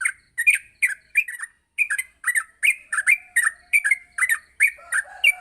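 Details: Yellow-vented bulbul in a morning master recording for training: a busy stream of harsh, squawky chirps in quick doublets and triplets, with a faint steady low tone entering near the end.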